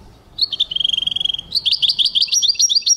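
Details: European goldfinch in song, 2023: a short high note, then a fast, even trill of rapid clicks, followed by lively twittering notes that step up and down, all high-pitched and loud.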